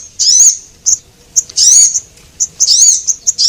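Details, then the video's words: Javan munias, male and female, calling on a lure track for small birds. Three long, thin, arching high-pitched calls alternate with short single chips across a few seconds. "Suara Pikat Sogon"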